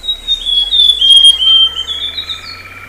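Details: Amazonian grosbeak, the azulão da Amazônia, about 16 cm long: clear, high whistled notes that slide slowly downward in a long sustained phrase, ending in a softer lower trill.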